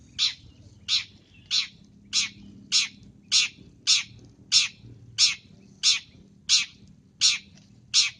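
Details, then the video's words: Long-tailed shrike call used as a lure: a steady series of thirteen harsh, rasping chak notes, evenly spaced about two-thirds of a second apart, over quiet low background hum. "Suara untuk pikat Pentet ASLI MANTAP."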